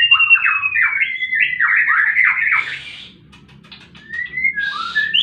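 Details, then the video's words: Bird-therapy recording of a fighting white-rumped shama: a gliding whistle into a dense stretch of quick, choppy warbled notes, fading to quiet with soft buzzy sounds, then a few clear whistles returning near the end. "Murai batu tarung pancing bunyi burung macet"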